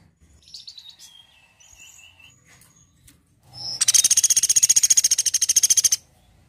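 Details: Woodpecker in a tutor recording for songbirds: faint thin whistles and chirps from other birds, then a loud, high, machine-like rattle of quick even pulses running about two seconds before stopping sharply.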